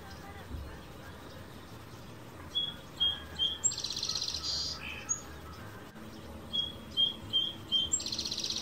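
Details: Morning song of a male sparrow perched on a backyard fence in California, recorded on an Olympus PEN E-PL9. Two complete phrases, each opening with clipped whistles, then a rapid buzzy trill and a lower final note.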